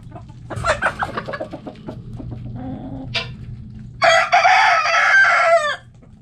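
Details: Backyard coop chickens: hens give a quick run of sharp clucks, a short squawk follows, then a rooster crows loudly for nearly two seconds, ending abruptly, over a low background hum.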